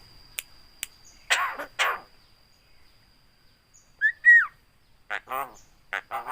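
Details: Speech-imitating Javan myna, known for a very loud voice and for copying greetings and coughs: two raspy syllables, a pause, then a slurred whistle bending down, followed by quick hoarse voice-like mutterings.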